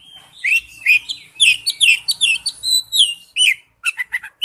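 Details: Oriental magpie-robin giving its wild-type forest-voice song: a lively run of clear whistled phrases, slurred up and down, in quick varied notes, ending with a burst of short sharp chips and a final whistle.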